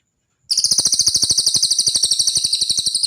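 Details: Cililin song recorded as training material for songbirds: a sudden, piercing high trill of rapid even pulses that runs for over two and a half seconds without a break.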